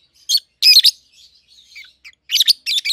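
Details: Two young captive peach-faced lovebirds, red-headed green opaline and red-faced dark green mutations, 7-8 months old; harsh squeaky chirps in short clusters, a quiet pause, then a rapid run of shrill notes.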